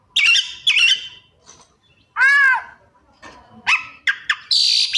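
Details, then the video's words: A white-rumped shama, kacer, gives scratchy buzzy bursts, a loud arched nasal call and sharp clicks within its mimicking song. "Suara Kacer Gacor Rajin Bongkar Isian"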